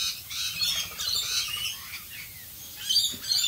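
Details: Rainbow lorikeets in the rain, Australia: a continuous overlapping chatter of high rasping screeches and squeals, with a louder burst near the end, over soft rain noise.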